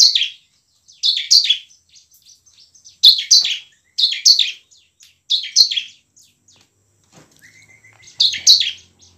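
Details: Bar-winged prinia singing hard in ngebren and nembak style, a lure for lazy birds. Paired high buzzy chirps repeat in bursts every second or so, with faint twitters between.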